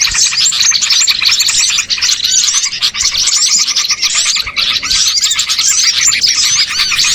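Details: Lure for catching small birds: a dense, unbroken chorus of high-pitched chirps and quick whistled slurs from many birds, with a couple of brief softer moments.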